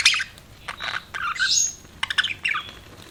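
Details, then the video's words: Budgies making short chirps and squawky warbled phrases separated by brief pauses, with one thin whistled note rising above the rest. "BUDGIES CHIRPING SOUND"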